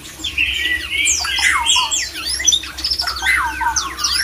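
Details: White-rumped shama, a male in mating mood used to draw other shamas into breeding condition; dense stream of whistled slurs, crisscrossing sweeps and rasping squawks, loud and unbroken throughout.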